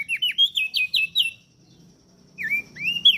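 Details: Caged-bird masteran featuring a singing crested darkeye and Lombok prinia: six quick downslurred whistles, a short silence, then two rising swooping notes.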